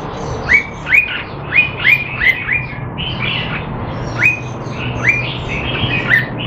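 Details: Red-whiskered bulbul kept caged in Singapore, recorded in training on 25 December 2020 and said to be out of form: loud, short, sharply rising whistled notes repeated in quick runs of about two per second, with fainter birds chirping behind.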